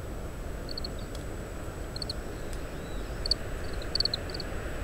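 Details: Oriental greenfinch uttering call notes as it eats summer camellia seeds and discards the husks, recorded by parabolic microphone in strong wind: sparse groups of sharp high chirps, a few louder clusters, over soft low wind hiss.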